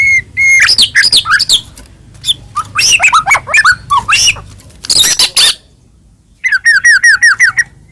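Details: White-rumped shama (murai batu, Medan type) in full varied song, played to stir other shamas to sing: dense harsh chattering and rapid whistled phrases, a pause, then a fast series of repeated looping whistles.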